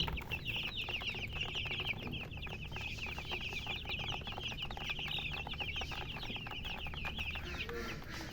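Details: Many young chicks peeping at once, a continuous run of shrill, short chirps, slightly downward-sliding, over a quiet low rumble.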